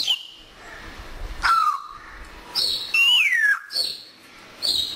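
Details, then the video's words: Pet African grey parrot enjoying the weather, known for talking in Urdu and Pashto and for whistling. Here it gives high clear whistles: short flat notes and longer downward-sliding glides, with brief pauses between them. "Talking African Congo Gray Parrot - Urdu & Pashto"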